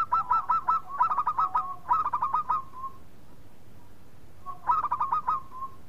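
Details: Local zebra dove song used as a lure to get other birds singing. A fast, stuttering run of short, ringing, buzzy coos lasts about three seconds, then after a pause a second burst of the same pattern follows.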